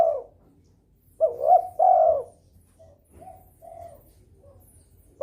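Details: Spotted dove in breeding mood calling to stimulate rivals; one strong phrase of two short coos and a long final coo, followed by several soft quiet coos.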